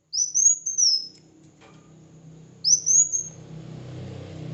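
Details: Red-whiskered bulbul in competitive singing: two high, arching whistled phrases, followed by a low rumbling hum and broadband noise that grows louder toward the end.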